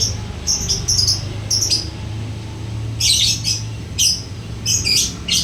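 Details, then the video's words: Lovebird singing ngekek: clipped high chips in small clusters, then loud, harsh, buzzy squawking bursts in the second half, over a steady low hum. "Lovebird rajin ngekek...."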